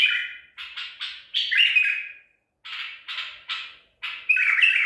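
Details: White-eared bulbul singing in the Baghdadi style, a bird trapped at Medical City, April 2021: quick run of clipped notes leading into a fluty slurred ending, a pause, then another phrase.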